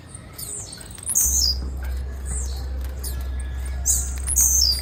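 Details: High sharp chirps from a female blue-black grassquit, each note dropping in pitch, in bursts at the start, around one second and near the end, with a constant low droning hum beneath.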